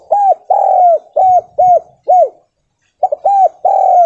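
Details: Spotted dove lure call of the stuttering kuk 2 or kuk 3 style, used to make other doves answer: loud, low, arched coos repeated in quick runs of five, then a pause, then more coos.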